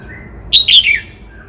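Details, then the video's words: Vietnamese red-whiskered bulbul of the Cao Bằng type delivers a single lively phrase: a sharp bright note, then a rolling warble that slides downward and fades. "Tiếng chim Chào mào hót - Chim chào mào Cao Bằng hót cực hay"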